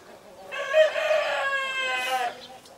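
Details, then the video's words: Black-blue mottled Leghorn cockerel crowing once, a strained, buzzy, evenly held call lasting under two seconds before breaking off abruptly. "CHICKEN BREEDS -LEGHORN BLACK-BLUE MOTTLED"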